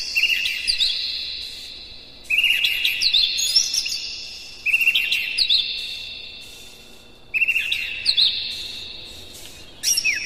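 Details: Lure song of a white-rumped shama for exciting other birds: loud phrases of rich whistles and rapid chirps repeat every two to three seconds, separated by long fading held tones.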